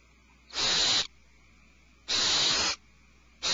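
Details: Owlets inside a nest cavity, alarmed, produce long rasping hiss-like screeches of about half a second, two full bursts and the start of a third, separated by quiet stretches with a faint background hum.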